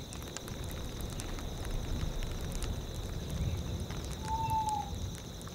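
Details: Tawny owls in tundra surroundings. Near the end, a single smooth hoot rises slightly and then falls away, lasting under a second. Rushing wind and steady cricket chirping dominate the rest of the clip.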